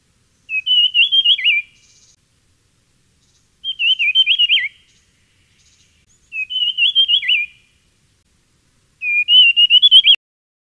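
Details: A Dusky fulvetta (Alcippe brunnea brunnea), a species of the woodland understory and grasses at middle and low altitudes, gives four short, high warbled phrases of rapid wavering notes, each about a second long, spaced roughly three seconds apart.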